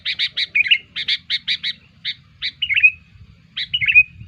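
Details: Sooty-headed bulbul calls played as a lure for bulbuls: fast staccato chattering notes in quick succession, broken by short slurred trills, with a pause before a final trill.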